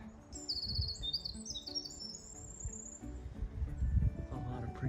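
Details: A Winter Wren, identified by the Merlin app, pours out a rapid, high, tinkling run of trills and warbles for about two seconds on a wet, rainy-week woodland path, over low rumble of rain and footsteps.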